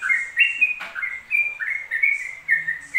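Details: Yellow-vented bulbul singing ropel-style without a break, smooth whistled notes gliding between pitches, interrupted once by a sharp knock-like click, with faint hiss above.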